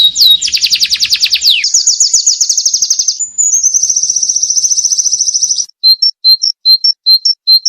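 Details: White-eye 'ngalas' training song for cage birds: a fast, very high buzzing trill held for over five seconds, shifting slightly in pitch, followed by evenly spaced short two-note chips.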